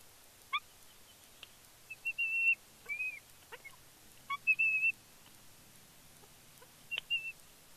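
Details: Fledgling female bald eagle at Big Bear, on her fledge day, squeeing excitedly as her father flies in with a fish, 31 May 2022: thin, high whistled squeals, some sharp and short, others level and drawn out, scattered through the seconds.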